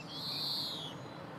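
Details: A European greenfinch, recorded in 2017 while feeding, gives one drawn-out, steady, high wheezing note lasting under a second against a soft background hiss.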